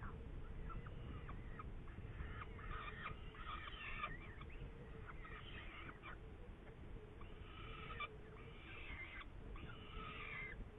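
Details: Saker falcon, Hungary, 8 May 2019: long sequence of rasping, harmonic call notes in loose bursts, some dropping in pitch, with pauses between groups, over continuous low rumbling noise.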